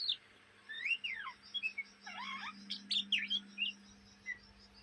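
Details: Young Oriental magpie-robin's ngriwik chatter, Indonesia: a softer sequence of drawn-out whistled slurs and a brief scratchy burst, separated by short gaps, above a low hum.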